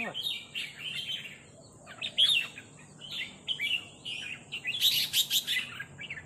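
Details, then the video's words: Red-whiskered bulbuls exchanging rik calls with a resident territorial bird: short, lively, slurred chirps in loose sequence, with a louder harsh burst near the end, against a faint constant high hiss. "นกกรงหัวจุกร้องริกตอบโต้กันมันๆ โดนนกเจ้าถิ่นรับน้องจัดหนัก"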